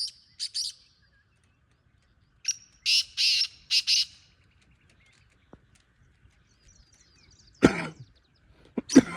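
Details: Black francolin giving its rasping call twice, each a quick run of scratchy high notes. Later comes a loud thump or handling noise, then another short burst.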